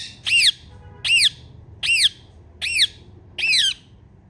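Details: A female Indian ringneck parakeet gives five loud, harsh, rising-then-falling screeches, roughly one every 0.8 seconds, over a quiet indoor background.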